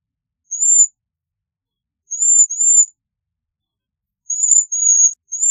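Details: Thin, very high-pitched trilling notes of a Bohemian waxwing, given singly and in pairs with short silent gaps between them.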